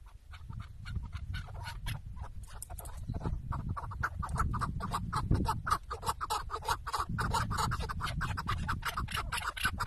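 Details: Decoy chukar partridge, tied in place for a hunt in Şırnak, Turkey, gives quickening runs of rough clucks that grow denser through the stretch, with steady low background rumble underneath.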